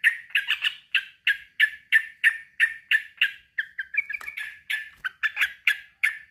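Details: Male sooty-headed bulbul from Indonesia calling a rival; clear, bubbly, fluty notes repeated about three times a second in a steady run, with a brief burst of quicker chattering phrases midway.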